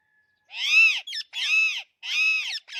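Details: Alexandrine parakeet calling loudly in long, arched, harsh screeches, three in quick succession, each around half a second long with short broken notes between.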